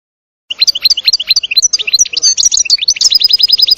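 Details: Wild goldfinch in a forest delivering a continuous, jumbled twitter of high, liquid notes, quick chirps and short trills running without pause.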